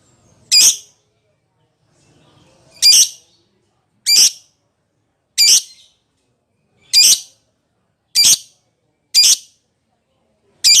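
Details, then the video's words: Lovebird calling its companion with loud, harsh, high squawks given singly, spaced roughly one to two seconds apart, with silence between. "suara lovebird memanggil temennya | pancingan lovebird memanggil lawan"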